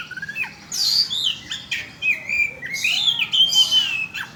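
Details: Provoking lure song of an Oriental magpie-robin: rapid soft ticks, then loud sweeping whistles, scratchy bursts and long slurred rising and falling notes in a lively, varied sequence.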